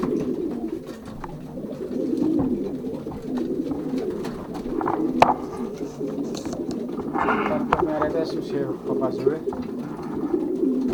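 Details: Young racing pigeons pairing in their loft, 2023 season, Pruszków section, Poland; a thick bed of deep overlapping coos runs throughout, punctuated by sharp knocks and brief higher rustles of movement.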